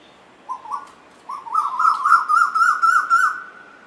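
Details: Asian koel, one of two birds singing and playing together: two soft whistled notes, then a loud quickening series of about eight ringing notes that climb slightly in pitch and run together.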